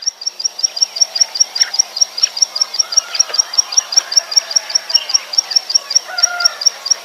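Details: Wild prinia, recording meant to lure birds for trapping: a thin, high, ticking note repeated steadily about twice and more each second throughout, with varied chirps and whistles from other birds behind it.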